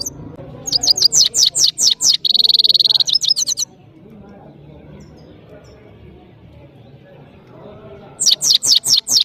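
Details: Saira, the European goldfinch of Parachinar, in powerful song: rapid high twittering notes, a dense buzzy trill, a long silent pause, then the twittering resumes.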